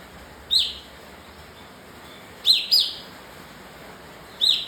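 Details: High, abrupt chirps from a bar-winged prinia (kapas tembak): a single note, then a quick pair about a quarter second apart, then another single note, over faint background hiss.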